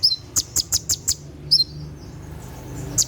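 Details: Kolibri ninja sunbird singing 'tembakan' at night, used to train caged birds: a fast string of five or six sharp high ticks, a doubled chirp, a faint thin trailing note, then one last piercing tick.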